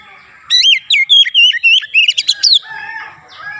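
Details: A single quick phrase of Oriental magpie-robin song: about two seconds of loud, slurred whistles and sharp chirps at a rapid pace, trailing into quieter low warbling.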